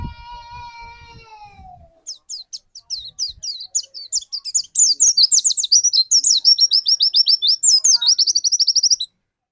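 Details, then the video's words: Indonesian captive white-eye song used as lure to trigger another bird. A sustained lower tonal sound opens, then high thin chirps speed up into a long, dense run of rapid downslurred twittering lasting about seven seconds. "burung pleci pancingan"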